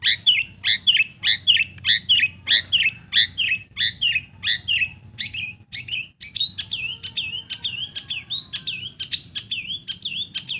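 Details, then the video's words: Long-tailed shrike, a pet bird, repeating a whistled, slurred two-part note about twice a second, then shifting into a looping warbled whistle. "SUARA PENTET GACOR. BUAT PANCINGAN burung MANDEG BUNYi"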